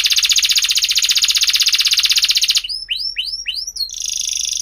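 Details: Canary song for teaching young canaries: a long, fast buzzy roll, then four rising swoops and a short high trill.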